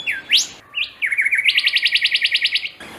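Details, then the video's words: Rufous whistler and golden whistler in a song-off in Australia: a loud upslurred whistle and a few short notes, then a fast run of about a dozen ringing, repeated notes, roughly five per second. "Rufous vs Golden Whistler sing off"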